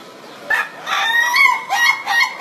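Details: Ayam Ketawa, a laughing chicken, crowing in a style with rising opening, rhythmic beats and closing phrase; short harmonic crowing notes in several bursts, the first brief, then a longer wavering phrase and two shorter ending notes.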